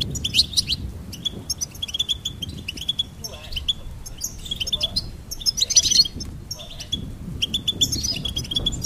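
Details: Bursts of goldfinch song: repeated high, tinkling twitters and short buzzy trills separated by brief pauses, with a louder jangling phrase near six seconds.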